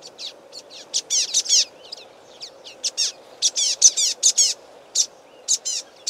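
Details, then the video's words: A flock of Common Waxbills in a reed bed along a stream gives loud, excited calls: rapid, high buzzy chips and overlapping nasal twangs, several a second, over a low steady hum. "Common Waxbills calling"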